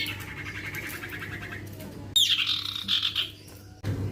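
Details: Young male common iora, used as a lure for other ioras, gives a buzzy pulsed chatter around mid-high pitch for over a second, then a sharp falling whistle slurring into a warbled phrase, with a low steady hum underneath.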